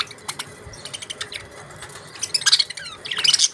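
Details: Budgerigars chirping: a scatter of short, high, sharp chirps, growing denser and louder toward the end, with a faint steady hum underneath.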